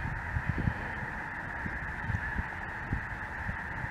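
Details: Snow Geese flying with Greater White-fronted Geese, perhaps a Ross's Goose or two, over southern Indiana on a chilly afternoon, January 23, 2023; an unbroken wall of massed honking with low thumps of wind.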